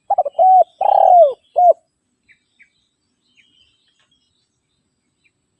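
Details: Spotted dove call for calling rivals, meant to lure wild birds and to train caged ones: a few short coos, then a long rolling coo falling in pitch, then a single closing coo. The rest is silent.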